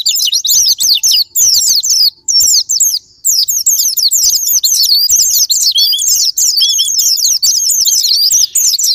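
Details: Japanese white-eye song used as a sparring-partner lure to make other white-eyes sing: dense, fast, high-pitched twittering of sharp chirps and trills, almost continuous with only brief gaps, possibly several birds overlapping.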